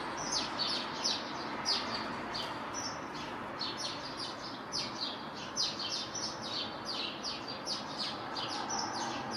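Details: On 6 April, a great tit repeats bright, high notes in tight pairs and triplets, each phrase sliding down in pitch, with rhythmic pulses over a faint hissing background.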